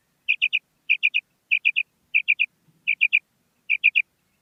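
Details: Female common quail calling: a crisp three-note phrase of short, bright, liquid notes, repeated six times at roughly 0.6-second intervals, with no other sounds.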